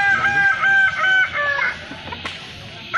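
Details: At a crowing festival in Kota Solok, Balenggek roosters give long wavering crows made of many short rising and falling notes for over a second, then the crowing fades into quieter crowd noise before another crow starts.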